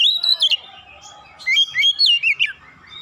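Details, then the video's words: Oriental magpie-robin (kacer), agitated and in full song with beak open, delivering varied whistled notes: bright high phrases, a quieter mid-pitched warble, then a burst of quick rising and falling slurs. "KACER LAIN CEPAT TERKOMPORI MEMANAS GACOR BUKA PARUH BONGKAR ISIAN"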